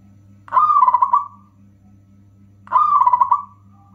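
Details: Local zebra dove singing a strong, rhythmic lure song for other doves and for birds that will not sing. Two rolling cooing phrases of rapid pulses, about two seconds apart, with a constant low background hum.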